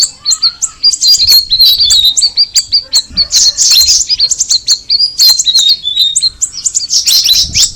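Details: Straw-headed bulbul (cucak rawis) in extended song: fast bursts of high chirps, whistled slurs and chattering, separated by short pauses throughout.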